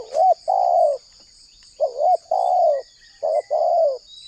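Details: Spotted dove lure call from Indonesia, meant to make wild doves answer. Three paired coo phrases, each a short wavering note followed by a longer smooth falling hoot, spaced about a second and a half apart.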